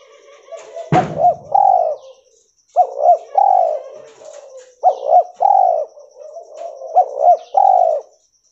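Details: Albino spotted dove, cotton-white mutant, cooing: after a sharp click, four phrases roughly every two seconds, each two short hooked notes then a longer mellow falling coo, with a faint steady high whine behind.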